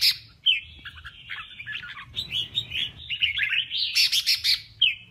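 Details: Male red-whiskered bulbul singing in a contest: quick warbled whistled phrases, slurred notes rising and falling, with a few brief harsh bursts and a faint low hum behind.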